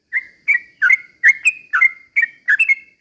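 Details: Sooty-headed bulbul, vigorous slow rolling song used as a lure for other bulbuls: crisp chirpy whistled notes, each slightly falling, delivered about every half second.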